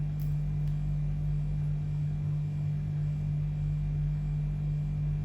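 A steady low electrical hum fills the whole recording, with no animal voice.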